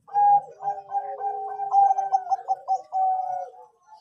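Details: Zebra dove of the Bangkok type giving its anggungan coo song as a lure for other birds: a continuous series of mellow, rippling, stuttered coos, each phrase ending in a longer steady note.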